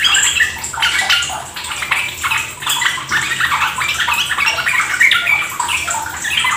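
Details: Lure song of the sooty-headed bulbul (trucuk), rapid ropel chatter meant to get kept birds singing. Continuous bubbling phrases in bursts, heavily mixed with a loud gushing, water-like wash.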